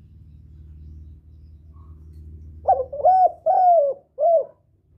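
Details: Spotted dove calling to lure and attract a male, a short series of four low hollow coos after a stretch of low rumbling background noise.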